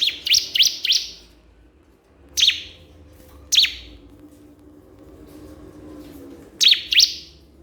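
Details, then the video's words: Crystal prinia calling a rival: a quick burst of three sharp chirps, then single high notes spaced a second apart, and a closing pair. "cikris/ciblek kristal gacor memanggil lawan"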